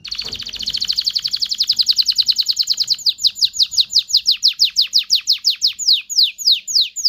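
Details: Canary song meant to prompt males and females to breed: a dense, rapid rolling trill that opens into a long series of crisp, high, downward-sweeping notes repeated at a steady quick pace.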